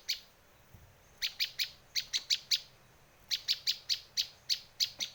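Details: Bar-winged prinia calls used for luring birds and for tutoring: sharp, bright chipping notes in quick bursts of three to five, separated by short pauses, against a quiet background.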